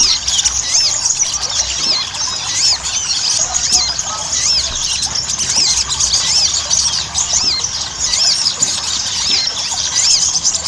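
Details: Ruby-cheeked sunbird song played as a lure to get captive birds singing actively: high arched whistled notes repeated over and over through a dense, hissing wash of sound.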